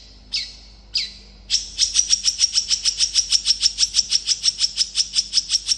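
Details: Long-tailed shrike giving a quick, dense song to lure other shrikes to reply: two sharp descending notes, then a steady, very rapid trill of high clipped notes lasting several seconds.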